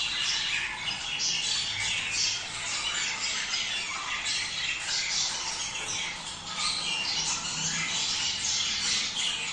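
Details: Budgerigar breeding song, a long, even run of buzzy chatter and chirps that keeps going, slightly quieter in the middle.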